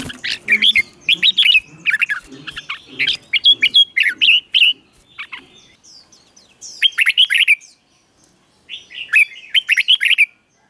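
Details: Red-whiskered bulbul singing slow, clear phrases for young birds to copy: rolling chirpy warbles in bursts, with a softer lull mid-way before two final short phrases.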